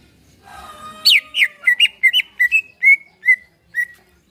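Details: Greater green leafbird in a cage, song meant to prompt another bird into singing: a faint high whistle first, then a quick series of clear, slurred whistled notes that slow and space out toward the end.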